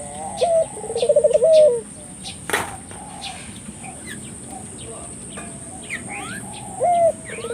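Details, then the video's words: Turtle dove coo used to stir local doves to call: one complete phrase of rising note, rapid rolled trill and trailing coo early on, a sharp click, then quiet with one short rising note near the end and faint bird chirps. "suara burung puter gacor,merangsang buru puter lokal ikut gacor"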